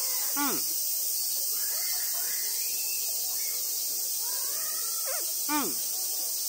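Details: Captive Ijima's copper pheasant, native to Japan, at a small zoo in Omiya Park, Saitama, answering a person's grunts. Two sharp, clipped calls that drop steeply, about five seconds apart, over a constant high hiss.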